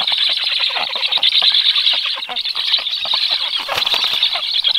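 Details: Black stork chicks at the nest on 21 July at 18:36, during a brief 14-second feeding visit by an adult: continuous dense harsh rasping chatter, with wing flapping and rustling.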